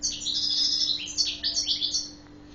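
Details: Bright rapid twittering from a European goldfinch of the Guelma Badri type, a dense run of liquid, tinkling high notes and short buzzy slurs with a faint low hum.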